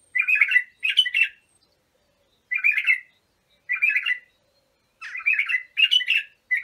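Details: {'caption': 'Bulbul song meant for teaching young bulbuls: rich, throaty warbled phrases in separate bursts with pauses of one to two seconds, clear against silence.'}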